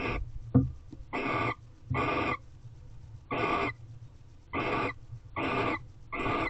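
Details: Barn owls in their Corral nest box during mating season, 28 February 2023, 3:02 pm: six drawn-out, breathy hissing screeches, each about half a second, spaced roughly a second apart, after a brief knock, with low rumble beneath.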